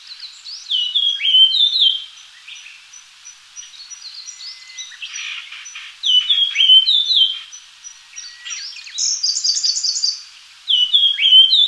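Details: Japanese grosbeak giving repeated clear whistled phrases and chirps in uneven bursts, with short pauses between groups and some harsher buzzy notes mixed in.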